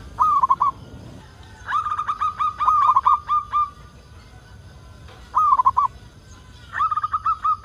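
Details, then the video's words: Zebra dove of local type singing, used to coax other zebra doves to sing: short rolling coos alternate with quick series of soft, evenly spaced cooing notes. "Perkutut Lokal Gacor AMPUH Untuk Pancingan Semua Burung Perkutut Agar Cepat Bunyi"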